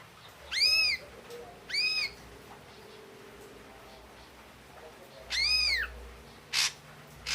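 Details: Ringing arched calls from an Ashy drongo, three spaced notes with strong overtones, separated by silence, plus two brief harsh scratchy bursts near the end.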